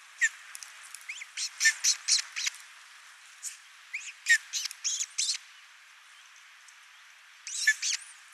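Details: At an osprey nest in Finland on 22 June 2024, adults feed a single chick: bursts of rapid, clipped high chirps in quick series, pausing, then resuming near the end.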